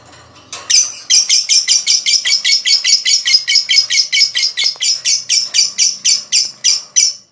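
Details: Long ngekek rattle of a lovebird, played to get other lovebirds singing: evenly spaced shrill, scratchy notes at about two and a half per second, slightly fading at the end.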